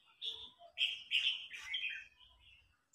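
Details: Red-whiskered bulbul in a singing contest, an old wild-caught bird challenging a young newly caught bird that grows agitated; bright whistled phrases of varied notes, a loud run in the middle, with faint low rumbling beneath.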